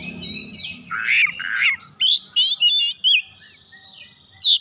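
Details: Oriental magpie-robin answering straight away and insistently with its isian, or fill phrases: a harsh scratchy opening, then a series of loud twanging whistled notes and a final sharp high call over light background hum.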